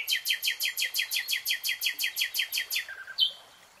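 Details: Nightingale singing in a lush green forest, a rapid even rattle of about sixteen loud broadband notes, roughly five per second, then one clear whistled note.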